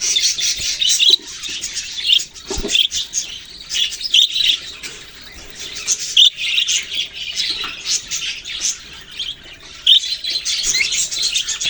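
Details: Budgies in a bird-keeping setting, November 6, 2023, chattering steadily: a long run of overlapping high chirps and warbled twitters, with louder clear notes standing out roughly every two seconds above the continuous background babble.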